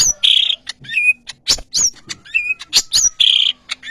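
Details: Greater green leafbird, known locally as cucak ijo kepala kuning, singing a lively mix of sharp clicks, buzzy trills and high whistled notes that jump between pitches in quick succession.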